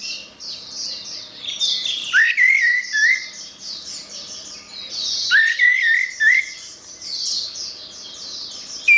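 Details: Orange-headed thrush singing in a recording for training songbirds: two clear whistled phrases about three seconds apart, each a rising slur followed by shorter wavering whistles, set against steady high-pitched chattering in the background.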